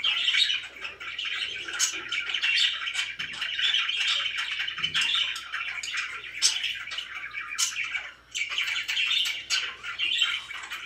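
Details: Very happy pet budgerigars warble and chirp in a constant scratchy chorus, with a short lull near the end and a low hum in the background.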